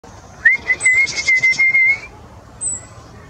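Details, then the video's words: Nuthatch calling: a sharp upswept start leading into a steady, slightly pulsing whistle held on one pitch for about one and a half seconds, with thin high squeaky notes above it and one brief high note afterwards. "Nuthatch Calling"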